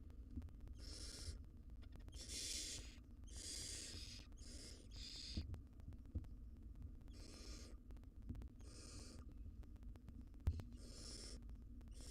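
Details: Barn owl nestlings in a wild, monitored nest box while their mother feeds them: a long run of rasping, breathy hisses, about nine in twelve seconds and uneven in length, over a constant low electrical hum.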